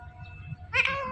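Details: Talking pet Indian ringneck (rose-ringed) parakeet saying mummy papa: after quiet murmuring and low hum, a sudden loud, nasal, harmonic-rich utterance bursts in and holds for about half a second.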